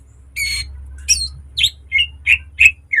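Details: Caged green leafbird heard as a lure and model for training birds. Harsh squawks and short buzzy chirps come about three per second over a steady low hum.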